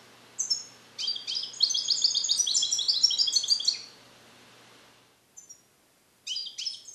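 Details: Young captive European goldfinch, song-trained with Neapolitan passages and not yet complete; a sustained three-second stream of rapid tinkling, rolling high notes, then silence and a few sharp chirps.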